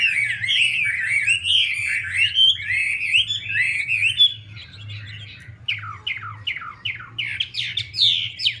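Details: Chinese hwamei with a female dancing to rouse the male: flowing loud warbled whistles for four seconds, then a series of about eight sharp down-slurred notes at a steady pace, low hum throughout.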